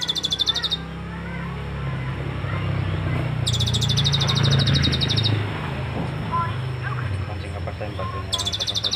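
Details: Kolibri ninja sunbird carrying cililin phrases: a strong, very rapid high pulsed trill repeats in bursts several seconds apart, with soft chirps between and a loud low rumble in the middle.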